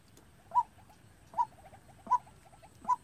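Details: Calling white-breasted waterhen, a decoy bird trained to call for trapping, giving four loud clipped notes about 0.8 seconds apart, each followed by soft quick trailing notes.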